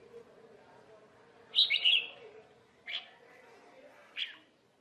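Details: Red-whiskered bulbul in Vietnam during trapping and fighting, one bright warbling phrase followed by two short sharp chirps spaced about a second apart over a faint low hum.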